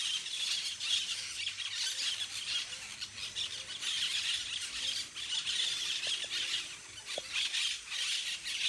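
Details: Parakeet flock playing in the trees: constant high-pitched screeching chatter in pulsing waves, with a couple of faint clicks near the end.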